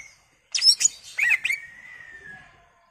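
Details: Greater green leafbird in energetic gacor song with full isian fill. A burst of sharp, high chirps and twittering notes is followed by a long, steady whistle that slowly falls away.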